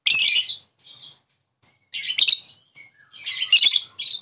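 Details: Lovebird chirping as a lure to draw a rival lovebird's call: scratchy, high chattering bursts in irregular groups with brief gaps between them.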